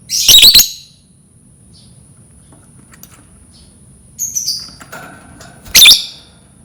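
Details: Lovebird sounds meant to coax lovebirds into singing: a loud rasping screech, scattered faint chirps, a softer chattering run, then another harsh screech, with a constant high electronic-like whine.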